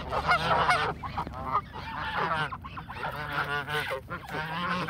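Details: Canada geese in a flock, honking busily while being fed: loud, nasal, overlapping honks that rise and fall, coming in bursts separated by short gaps.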